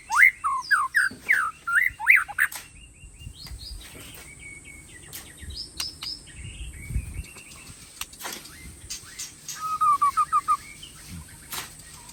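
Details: ['Aceh white-rumped shama from Tangse singing: a quick burst of sweet, slurred whistles, then scattered sharp notes and a fast run of rolling trills near the end, over a constant thin high-pitched whine.']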